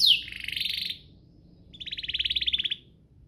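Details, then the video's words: Canary song meant to encourage other canaries to sing, with a short rattling trill, a pause, then a second even pulsed trill around mid-high pitch. "Pancingan ini Berhasil pancing kenari manapun jadi ikut GACOR, Pancingan kenari biar gacor"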